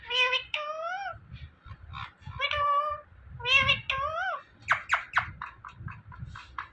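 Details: Indian ringneck parrot talking: a run of nasal, meow-like mimicked phrases with rising-falling pitch, then quick clipped speech-like syllables and sharp chirps, over a low background rumble.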